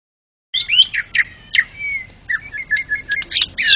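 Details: White-rumped shama, a national champion contest bird, singing in the loud ngeplong gacor style: rapid varied whistles and sharp chirps, with one long level whistle in the middle, after a brief silence at the start.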